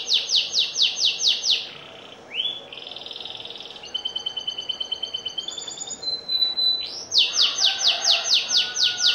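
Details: Canary singing, a lively bird with varied phrasing: fast runs of high repeated notes, then a held buzzy trill, then steady stepped whistles, and finally another quick series of rapid high notes, all over a faint background hiss.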